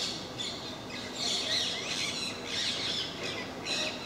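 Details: A group of parakeets visiting a park regularly and making a racket: harsh, screechy squawks in repeated bursts about every second, several birds calling over a steady background hum.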